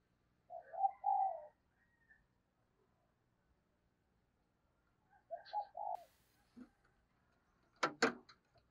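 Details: Lure spotted dove cooing to attract wild doves. Soft hooting coo phrases are separated by a quiet gap, with a sharp clatter and a click-like noise near the end.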